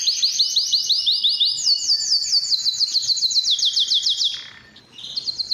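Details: Canary singing to attract females for breeding: a chain of fast high trills, each phrase of repeated curved notes, with a brief dip in volume before a final short trill.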